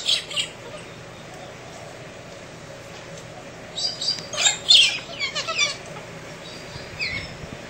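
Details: Early-morning galah cockatoos in the central Australian outback, clowning about: a couple of brief harsh screeches open, then a cluster of scratchy, squawking screams in quick succession, trailing off into a last lone call.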